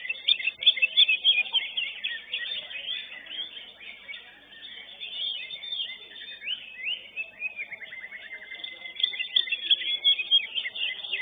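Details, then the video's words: Greater green leafbird singing in a contest, class winner, giving an unbroken torrent of high chirps, warbles and trills, with a long smooth descending whistled phrase midway and busy overlapping notes throughout. "CUCAK HIJAU"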